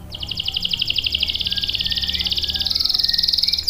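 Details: Lively canary song meant as a tutor and lure for young males and birds that have stopped singing: a long rapid rolling trill that shifts higher near the end, with faint low hum behind.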